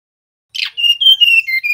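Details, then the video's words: Buzzy opening note, then a series of clear whistled tones rising and falling in small steps, sung by a male mangrove blue flycatcher. "Suara tledekan bakau jantan nyiul"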